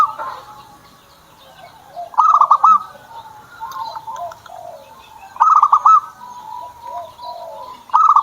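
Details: Zebra dove owned by the keeper, singing: quick stuttered cooing bursts roughly every three seconds, each trailing into soft lower coos, with light chirping from other birds.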